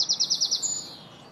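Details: A European greenfinch feeding in 2017 utters a short run of about six rapid, high, evenly spaced chirps that fade away into quiet background noise.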